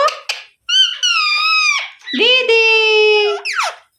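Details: Pet rose-ringed parakeet, which the owner says is angry and shouting, gives harsh, squeaky screeches in short bursts, some held flat and some sliding down, each lasting about a second.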